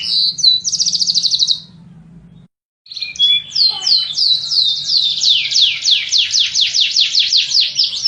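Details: Canary singing: a fast buzzy trill, a short silent break, then a soft twitter and a long series of loud, regular downward-slurred notes near three per second.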